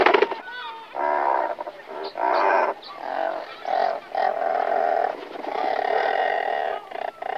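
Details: Several nesting Razorbills calling before take-off: rough, purring growls in bursts of half a second to a second, then a longer steady rasping moan, with other birds' calls overlapping.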